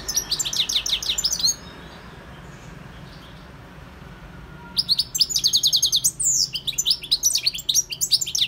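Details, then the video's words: A wild goldfinch, Carduelis carduelis, sings a fast, liquid twittering phrase of high repeated notes. It falls silent for about three seconds, then resumes with dense tinkling trills and rising chirps. "GOLDFINCH SINGING 1H Chant Chardonneret اسمع واستمتع صوت الحسون البري Jilguero Campero"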